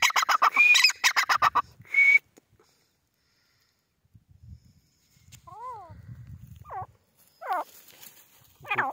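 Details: Grey francolin (teetar) call: a rapid burst of rattling pulses and a short whistle, then a pause. Separate looping, whistled notes follow, building up again, over a soft low rumble.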